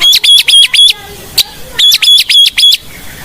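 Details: White-rumped shama of the Blorok type, lure song for training birds: two bursts of four sharp, buzzy, ringing notes, about four per second, separated by a brief pause with a single click.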